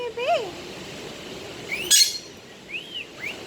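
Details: Budgerigar talking and singing: one clear arched whistle, then scattered upslurred chirps and a brief noisy burst. The delivery is loose and conversational.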